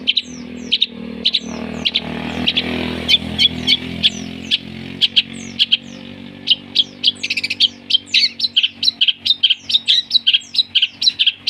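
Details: Long-tailed shrike lure song with imitated fighting-sparrow and lovebird calls: sparse sharp chips over a low rumble at first, then a rapid, steady stream of crisp chirping notes.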